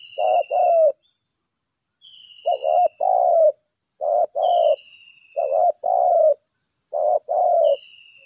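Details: Decoy spotted dove calling aggressively, giving paired husky coos over and over, a short note then a longer falling one, in roughly six pairs. A high thin whistle sounds intermittently behind.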